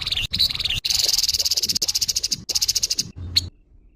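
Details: A grey-headed babbler's harsh call: a nearly continuous scratchy rattle of fast rasping pulses, ending in one sharp note and then quiet.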